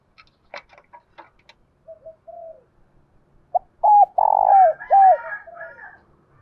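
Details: Spotted dove used as a lure bird, cooing in the 'thổ' voice style to provoke wild rivals into calling and fighting. After a few clicks and a soft coo, a loud phrase of hooked, hollow notes follows, with one long middle note.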